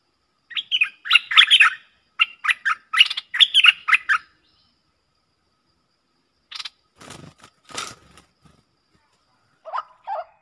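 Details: Streak-eared bulbul pair dueling in song, recorded 30 October 2021 as a lure sound: rapid chattering, bubbly phrases for about four seconds, a pause, some scattered knocking sounds, then a short closing burst of notes.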